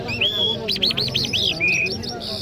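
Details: Iranian Jal Mashhadi songbird singing in Kabul: a bright, whistled phrase with a long high note, then a quick run of five looping chirps, ending in a thin trill, over a faint low hum.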